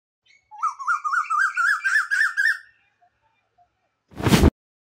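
Asian Koel giving a quick run of about a dozen wavering whistled notes that climb steadily in pitch over two seconds, then a short burst of noise.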